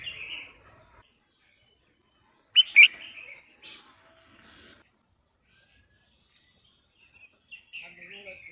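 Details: Female red-whiskered bulbul, a kept bird, singing to stimulate a male. One loud burst of sharp notes comes midway and another at the very end, with soft warbled phrases around them and long quiet gaps between.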